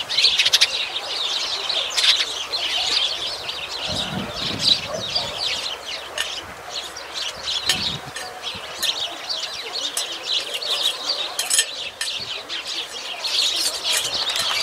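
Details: Chattering sparrows, a constant wash of quick high chirps from many birds, with brief low rumbling thuds around the fourth and eighth seconds.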